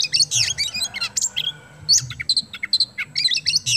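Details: Oriental magpie-robin of the kacer kemben type singing at full strength as a lure for other birds: rapid bursts of sharp high chirps and whistled flourishes, packed and varied, with a faint low hum beneath.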